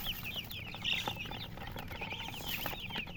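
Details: Chicken chirping: a steady stream of small, high, downslurred peeps repeated rapidly against a loud, hissy, rumbling background.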